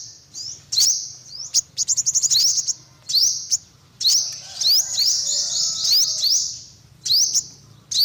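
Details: Olive-backed sunbird uttering shrill rising chips in groups, including a fast stuttered burst and a sustained trilling run, separated by short silences.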